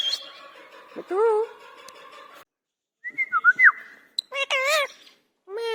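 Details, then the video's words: Angry pet Indian ringneck parakeet talking: a steady hum at the start, then wavering speech-like syllables, a flat whistled note, and shrill warbling calls near the end. "Angry parrot talking/ Talking parrot / Indian ringneck talking/ Parrot Ki Awaz"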